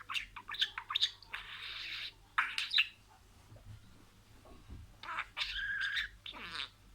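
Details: Budgerigar kept as a pet, speaking imitated words: short clicks and harsh, drawn-out squawky phrases, a quiet gap in the middle, then further buzzy warbling.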